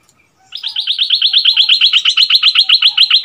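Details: Bulbul decoy bird returned to its old territory, duelling in song with a new resident on 3 February 2021; a fast, even string of bright chirped notes, about four per second, held for nearly three seconds.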